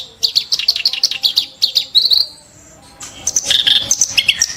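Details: Sharp, harsh burst song of a clamorous reed warbler used as a tutor bird: quick series of high chipping notes, a brief buzzy trill, a short pause, then a dense scratchy chatter.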